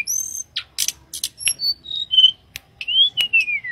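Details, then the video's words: A wild mangrove blue flycatcher gives sparse thin whistles and chips, then a longer sweet whistle that rises briefly and glides steadily downward, in a quiet setting. "Tledekan Gunung Edan Gacor Berkicau"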